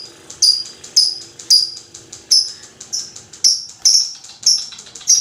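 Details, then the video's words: Lovebird giving long chattering to set off other lovebirds: sharp high shrill chirps with harmonics, about ten in five seconds, each note brief and piercing, repeated at an uneven steady pace over quiet background hum. "AMPUH MEMANCING LOVE BIRD ANDA JADI GACOR NGEKEK PANJANG"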